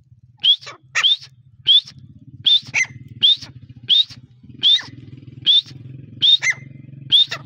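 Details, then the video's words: Grey partridge calling in breeding season: sharp, high, upward-flicking whistled notes repeated about every 0.7 seconds, some doubled, over a steady low buzzing hum. "teetar ki awaz | Partridge voice"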